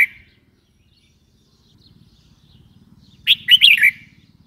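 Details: Red-whiskered bulbul giving one quick, rich warbled phrase of several slurred whistled notes near the end, after a brief note at the start and a quiet stretch with a low background rumble.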